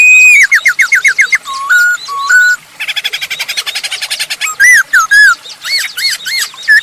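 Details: Masked laughingthrush in full song, used as a lure for other birds: a rapid series of repeated down-slurred whistles, level whistled notes, then a fast rattling chatter and further looping whistles.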